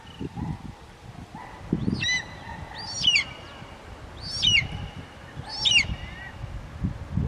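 Brahminy kite giving high, wavering, squealing mews, about one every one and a half seconds, over low wind-like rumble.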